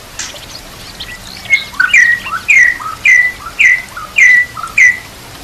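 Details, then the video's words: Training song of a White-rumped shama with nature sounds and gurgling water: a repeated loud, clear whistled note that falls slightly, given about every half second roughly seven times after a few softer introductory notes. "Murai Batu Full Gacor Murai macet langsung Gacor Masteran Murai"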